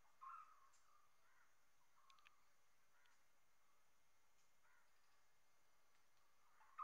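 A common hawk-cuckoo gives shrill, strident notes, repeated every second or so, loudest at the start and end, over a soft background hiss.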